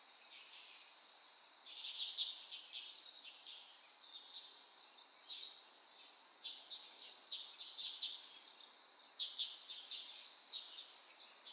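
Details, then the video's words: A common kingfisher (Alcedo atthis) gives shrill, piercing high whistles, several per second, in bursts and short trills over a faint background hiss. "Vogelstimmen: Der Eisvogel - Kingfisher"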